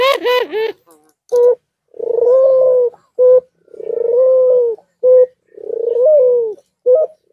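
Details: Amorous white dove calling nonstop with bowing display: three long, low, rolling coos, each followed by a short abrupt note, after a brief harmonic voice-like sound at the start.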